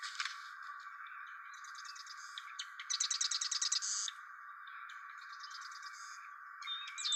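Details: Marsh wren song, band-filtered to remove low frequencies: rapid buzzy trills of repeated notes high in pitch, a loud rattling burst near the middle, softer trills before and after, over a steady filtered hiss.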